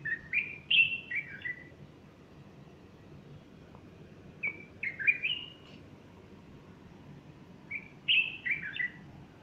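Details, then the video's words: Bulbul song on a Sunday morning, 30 August 2015, with a female standing nearby fluffing her feathers. Three bursts of rich, warbled whistles with slurred notes come in quick runs, separated by quiet gaps of two to three seconds. "البلبل يغرد صباح الأحد30أغسطس2015"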